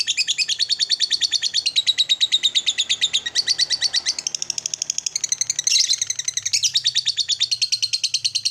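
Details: Lovebird delivering long ngekek chatter to make other lovebirds angry: continuous, shrill, rapidly pulsed scratchy notes in changing buzzy phrases, with a brief louder burst midway.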